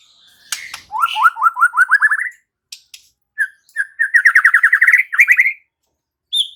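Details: White-rumped shama (murai batu) singing lively, full-repertoire song: a rapid trill of about nine rising notes, then a brief pause and a longer fast series of rising trilled notes with sharp high chips in between.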